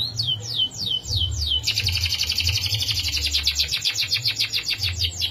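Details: Canary song with a long rolling fill ("isian ngerol panjang"): bright, rapid notes repeated in fast succession, first as a series of quick descending sweeps, then as a sustained buzzing roll of evenly spaced pulses. A steady low hum runs underneath.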